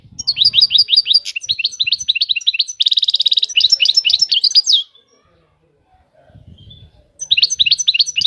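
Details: European goldfinch singing: fast runs of twittering, liquid notes and a buzzy trilled passage near the middle, then a pause and a fresh burst of rapid chirps; faint low rumble beneath.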